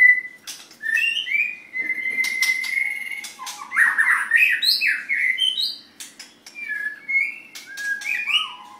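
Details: Contest white-rumped shama in full song: a long sustained whistle, then rich, varied phrases of rising and falling whistles mixed with sharp clicks and chattering notes, with quiet pauses between bursts.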